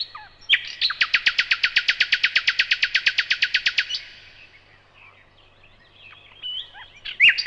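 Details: Evening song of a common nightingale: a fast, loud, regular series of about twenty-five identical clicking notes lasting three seconds, followed by quiet soft notes and a sudden loud phrase at the end.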